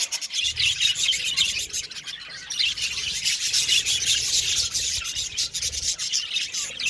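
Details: Colony of budgerigars kept in an aviary, giving a constant rasping, gritty chatter of high chirps and warbles from many birds at once, swelling and easing slightly but never stopping.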